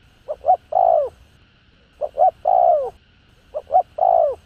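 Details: Spotted dove with a 'hạp bổi' voice, calling to rouse caged doves: three phrases of two short hollow notes and a long, slurred, falling coo, each about one and a half seconds apart. A faint steady hum sits underneath.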